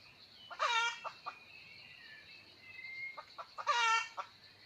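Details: Red junglefowl crowing, recorded 17 March 2020: two short harmonic crows about three seconds apart, each a bright stuttered burst ending in a drooping note, over a steady high insect-like hum and faint chirps.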